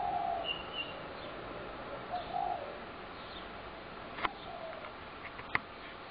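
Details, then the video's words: Spotted doves being fed in a Brooklyn Park backyard on 6 November 2016, making constant noise; a few soft low coos early and near two seconds, then faint chirps from other birds and sharp clicks. "Spotted Dove Backyard Noise Disaster"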